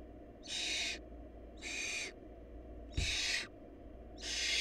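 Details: Hungry barn owl nestlings whose family lacks food: broad rasping hisses, each about half a second long, four in a row with gaps near a second, a soft thump among them, low hum beneath.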